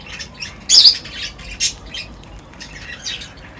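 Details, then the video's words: Birds at a feeding spot chirp in brief high bursts. One loud squawky note comes near the start, followed by a few sharper tweets and softer twitters. "Birds Feeding Time Sounds | Birds Chirping sounds"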